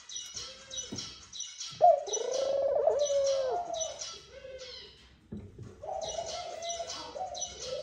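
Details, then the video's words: Male Eurasian collared dove calling his mate to the nest in courtship: a loud, drawn, quavering coo among several softer coos, with a steady stream of high chirping from other birds. "tórtola macho llamando al nido a la hembra"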